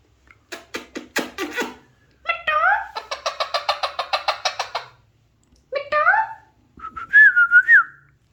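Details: Alexandrine parakeet chatters in quick staccato pulses, gives a harmonic meow-like phrase and a rapid rattling burst, then another meow and a closing wavering whistled phrase.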